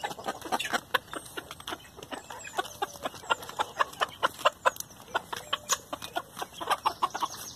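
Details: Chickens feeding eagerly on leftover hamburger buns give rapid short clucks and pecking clicks, repeated several times a second in a busy, continuous chatter.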